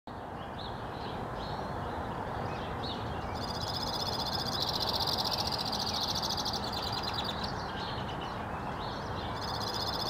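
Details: Male white-winged crossbill singing in northwest Regina, Saskatchewan, Canada, on April 3, 2017, one of at least four in the area: soft warbled notes open, then long dry buzzy trills run almost continuously, briefly broken by chirps, over steady low rumble.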